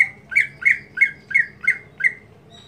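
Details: Monotonous daily song of a greater green leafbird, seven harsh, buzzy notes repeated about every third of a second, each with a short downward slur, against a faint low hum.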